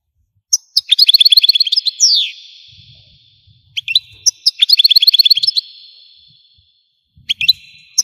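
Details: Algerian European goldfinch singing: two bright bursts of rapid, evenly repeated chirping notes, each ending in a long descending slur, with short sharp calls between and a quiet background.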